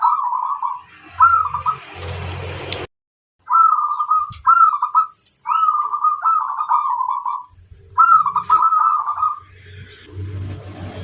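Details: Zebra dove of local stock singing against rivals: a string of trilled, throbbing coo phrases, some run together, broken by low knocks, rustling and a brief gap.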